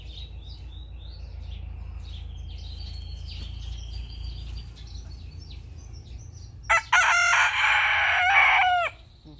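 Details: Small birds chirp and whistle for several seconds. Then a young rooster sitting on its owner's head gives a single loud, raspy crow of about two seconds that ends abruptly.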